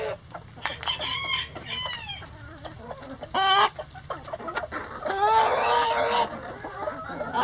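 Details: Several chickens in a coop give a busy mix of short clucks and curved, harmonic squawks, with a loud raspy call around the middle and a long, grating, noisy cackle later on.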